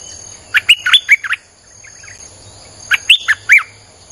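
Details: Streak-eared bulbul lure song in the 'sap dok' style: two bright phrases of rapid, slurred chirps that rise and fall, separated by a pause of about two seconds with soft background twittering.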